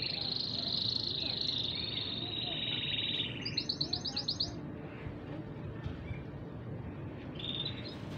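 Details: Two male canaries singing in turn without stopping: a long, bright, high whistled trill held steady, then a fast rolling pulsed trill, followed by shorter high phrases, over a low rumbling background.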